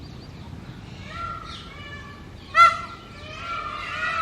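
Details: Male Indian peafowl in mating season on a house roof, calling to attract females: one loud, sharp, harmonic nasal cry near the middle, with softer drawn-out honking calls before and after it.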